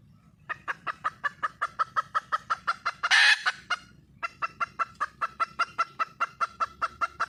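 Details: Red junglefowl hen in the wild, calling for a mate: steady trains of fast, clipped clucks, interrupted midway by one loud harsh squawk, then the rapid clucking resumes.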